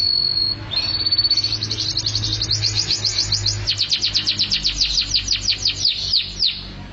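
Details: Singing canary: a held whistle breaks into a long fast trill of repeated sharp notes that slows toward the end, with a low hum beneath.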